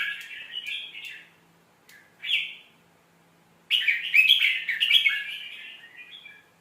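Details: Red-whiskered bulbul from Thailand singing a tutor song played to teach young birds: brief warbles, a separate clear two-note phrase, then a loud tumbling run of rich whistled and chirped notes that fades out.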